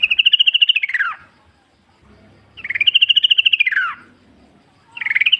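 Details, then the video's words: Energetic wild yellow-vented bulbul from the forest, used to lure other bulbuls into song: long rapid rippling phrases that arch up and drop, repeated about every two and a half seconds. "trucuk gacor ngalas full suara alam ampuh buat pancingan agar bunyi jadikan trucukmu gacor nyaut"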